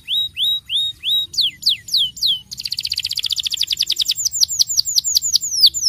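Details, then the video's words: Canary of the starblue type singing a long rolling song used to coax young canaries into singing: upward-sweeping whistled notes, then a fast buzzy trill and a series of falling slurred whistles; faint low hum beneath. "kenari starblue gacor ngeroll ampuh unultuk pancing bunyi kenari muda"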